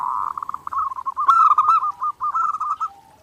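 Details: Zebra dove song in a clear, nonstop master recording used for daily training: a fast, bubbling trill of soft coos that rises slightly and then falls, with a few brighter accented notes in the middle.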